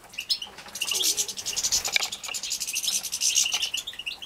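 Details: Bred European goldfinch chicks being fed in Poland in 2017, giving a rapid chorus of thin high chirps and buzzy notes with rustling movement.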